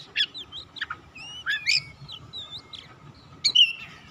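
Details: Oriental magpie-robin song used as a call to stir other magpie-robins into singing. Fairly soft, scattered whistled notes and upward chirps, with a louder twisting phrase near the end, over a continuous background hum.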